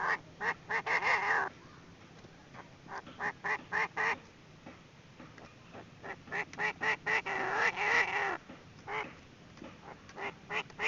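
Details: Female Chinese francolin call used as a lure for trapping: rapid harsh clucks, several dense bursts separated by brief silences, rhythm loose and irregular.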